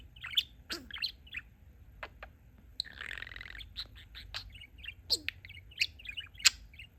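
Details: A pet male budgerigar that talks and mixes his favourite learned phrases, giving quick scratchy clicks, buzzy bursts and sharp chirps in irregular rapid runs, with a longer harsh buzzy phrase near three seconds.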